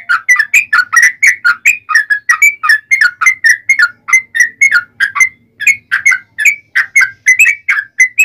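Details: Yellow-vented bulbul in a fighting song, played to provoke other bulbuls into answering: a steady stream of rich, bubbling whistled phrases, each rising and falling, repeated about three times a second without a break.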